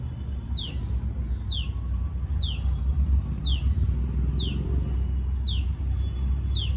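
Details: Tailorbird repeating its long call: seven crisp, downward-sweeping notes at steady one-second intervals, heard over a loud, continuous low rumble like passing traffic.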